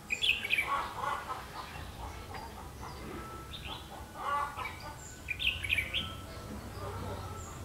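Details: Red-whiskered bulbul heard while being trapped on 31 October 2016: loud, quick, warbled whistled phrases near the start and again after four and five seconds, with softer chirps between and low rumbling background.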